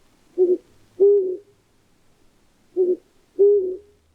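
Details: Flammulated owl (Psiloscops flammeolus), hoot: sounding larger to deter predators.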